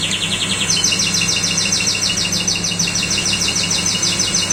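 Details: Common nightingale delivering rapid, rhythmic repeated high chirps that step up in pitch early on and then run on steadily, with a low background hum throughout.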